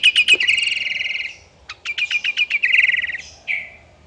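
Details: A sooty-headed bulbul sings energetically to spur rival birds into song. It gives a rapid rattling trill, a brief gap, then a string of clipped repeated notes ending in a buzzy trill and a short downslurred whistle.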